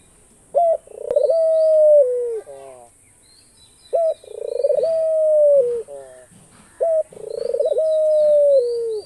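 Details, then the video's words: Australian dove giving loud, clear coos. Each phrase is a brief sharp note followed by a drawn-out level hoot that dips downward at its close. It repeats three times at steady intervals of about three seconds, with quiet background chirps. "ঘুঘু পাখির ডাক। অস্ট্রেলিয়ান ঘুঘু পাখির ডাক।The call of the dove.Australian dove bird call."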